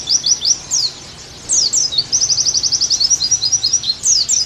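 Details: Oriental white-eye, kept bird, in a tutoring recording: scattered high chips and sweeping notes, then a fast even trill of about a dozen rapid notes, ending with more slurred descending phrases.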